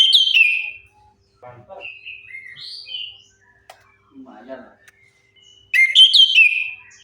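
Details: Orange-headed thrush lure song meant to set quiet birds singing: a strong whistled phrase opens and another closes, with faint softer notes and chatter in between.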